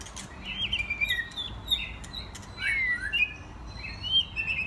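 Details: Several young adult white-rumped shamas, mostly first molt, playing together; varied fast whistled song with sliding notes, chirps and high thin trills overlapping, near-continuous chatter, faint low background hum.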